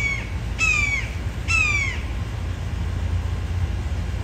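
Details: A hungry, recently fledged immature red-shouldered hawk, still learning to hunt, gives two loud, clear, downslurred screams about a second apart after a clipped one at the start, over a steady low rumble.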